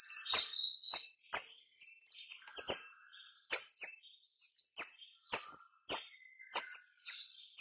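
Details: Kemade, or white-rumped shama, delivering dense rapid lure song to spur other shamas to sing; piercing high chirps repeat about every half second to second, each a sharp downward flick, with softer twittering between.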